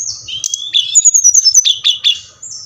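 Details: Bali Brown-chested jungle flycatcher song, meant to provoke captive birds to answer: high thin whistles, a descending run of clear notes, then sharp downward chips spaced about a quarter second apart.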